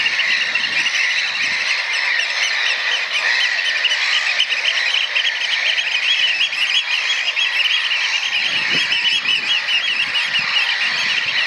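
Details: Piping from three juvenile Eurasian oystercatchers together, probably from one nest, learning this display with an adult sometimes stepping in; a long unbroken chorus of fast, high, repeated piping notes, with brief low thumps near the start and end.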